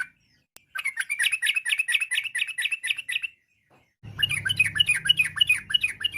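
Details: Yellow-vented bulbul singing a varied lure song meant to make other bulbuls answer at once: fast runs of chirpy, bubbling notes in two bursts split by a short silence, with a low hum under the second.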